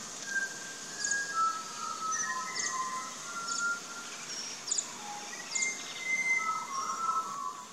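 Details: Pied butcherbirds in an Australian backyard garden: long, clear, flute-like whistled notes that slide and hold at different pitches, overlapping through the recording, with short high chirps from other birds in the background.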